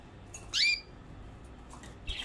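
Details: Canaries kept together in a cage in Erbil, Iraqi Kurdistan: one loud, harmonic call sweeping upward, followed by a few faint chirps and a short bright note near the end. A low room hum runs underneath.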